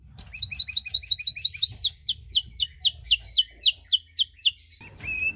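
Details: Caged canary singing cengkok song to goad other canaries: a buzzy rattling trill leading into about a dozen loud descending whistled sweeps, ending with a brief rising whistle and low room noise.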